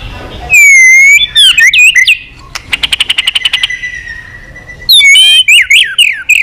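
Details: White-rumped shama in long song to stir up a fight: loud ringing whistles and slurs, then a rapid train of dry clicks with a long held whistle, before another burst of bright whistled phrases.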